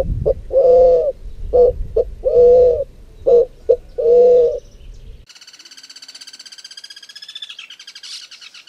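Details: Pigeons or cuckoos of the families Columbidae and Cuculidae, recorded in 2018: deep, hollow coos in paired phrases, a short note then a longer swelling one, repeated about every second, followed by a high buzzy trill from another bird.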